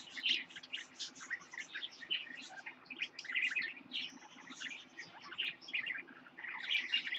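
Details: Parakeets kept indoors, among them a lutino baby, keeping up a continuous busy warble of short scratchy chirps and twitters, against a low background hum.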